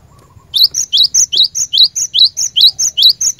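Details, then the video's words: Lure song of the cinereous tit (glatik batu) for training caged birds to sing: after a brief pause, a brisk run of about eleven two-part phrases, rising slur then piercing high note, over faint low rumble. "Burung Glatik Batu Pikat Gacor"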